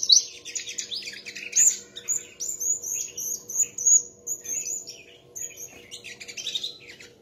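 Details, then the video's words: Sunbirds competing in song: a thin, very high whistled line of repeated notes runs through the middle, mixed with quick chirps and a closing rapid twitter. "chim hút mật hót đấu"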